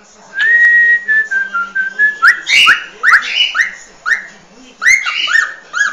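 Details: Singing cockatiel used in training a cockatiel to sing: a long level whistle, then a run of short upward-sweeping whistled notes, some doubled, at a quick, uneven pace.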